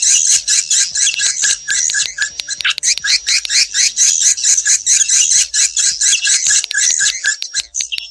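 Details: Swiftlet lure call used to attract swiftlets to nesting houses: a dense, high twittering chorus of rapid chirps, about two bursts a second, with no other sounds.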